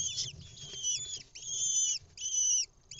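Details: Lesser kestrel chicks, hatched 28 April to 2 May, in a nest box at Ramat Hanadiv, Israel, on 6 May 2021 as their mother brings an insect, give shrill, drawn-out squealing calls in three or four bursts over a faint low rumble.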